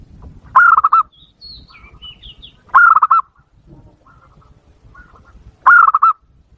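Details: Wild-dove lure call of a zebra dove: three loud, rolling phrases of rapid throaty coos, each about half a second long, spaced two to three seconds apart. Faint high whistles from another bird sound between them.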